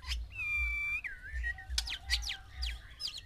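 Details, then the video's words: Male white-rumped shama singing to rouse six females for mating: a sustained pure whistle, a slurred falling note, then sharp downward-sweeping chirps, over a loud pulsing low hum. "MANCING BIRAHI 6 MURAI BATU BETINA DENGAN 1 JANTAN"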